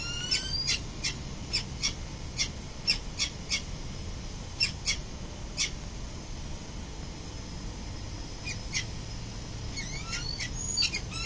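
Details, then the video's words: Male and female peregrine falcons returning early morning to their building nest on 22 November 2024; short harsh chattering notes in loose runs, a pause, then a quicker burst, with constant low traffic hum beneath. "Falcon mom and dad early morning arrive home"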